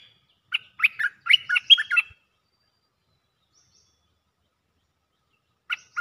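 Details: Cream-vented bulbul calling for a mate: one lively phrase of about eight fast, gurgling chirps lasting 1.5 seconds, long silence, then the start of another phrase at the end.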